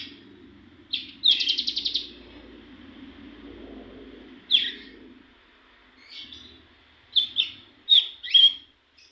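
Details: Young cigun practising song: a short burst of rapid high pulses, then scattered sharp chirps and doubled notes separated by pauses, over a faint low murmur.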